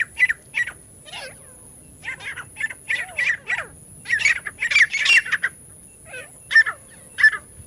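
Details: Partridge calls played to lure partridges for trapping: scattered squawky bursts, some single and some in quick clusters, growing louder and denser midway before spacing out again; a quiet background.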